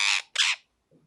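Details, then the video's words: Two harsh, raspy squawks from a parrot in quick succession, followed by a faint low sound after a short pause. "Parrot Chirping Sounds | Natural Parrot Sounds | Parrot Calling Sounds"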